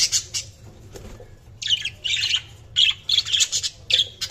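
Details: Budgies chirping steadily, rapid scratchy squawky notes in clustered bursts almost throughout, with brief quieter gaps.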